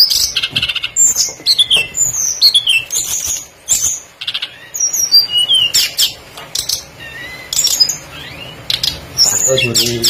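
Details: Tledekan songbird used as a lure to set other birds singing: bright, high whistled phrases with rapid chirps and sweeping, down-slurred notes, coming in bursts separated by short pauses.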